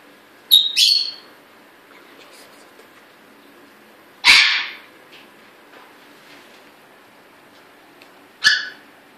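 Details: Caged pet African grey parrot, newly bought, calling while people talk nearby: a sharp whistled note slurring downward, then two harsh broadband squawks spaced about four seconds apart, over a quiet, steady low hum.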